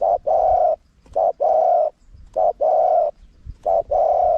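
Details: Spotted dove delivering loud, rounded coos in a wild-style small-voiced phrase for luring wild doves: a short note followed by a long sustained coo, repeated three or four times in a regular rhythm.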